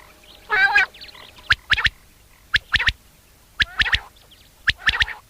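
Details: Common quail in a summer meadow at sunset giving its mating call, a sharp three-note 'wet-my-lips' phrase four times, about once a second, after a brief low, buzzy note.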